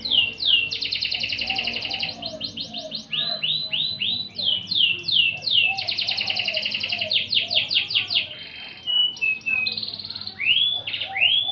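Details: Canary singing, recorded as master material for teaching magpie-robins: fast buzzy trills of repeated descending sweeps, switching abruptly between phrase types, with rapid rolled series and upslurred whistles, steady low background hum.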